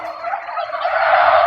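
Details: Domestic turkeys at a turkey farm in Kanyakumari district, India, give a rapid, rattling gobbling burst that swells louder over about a second and a half.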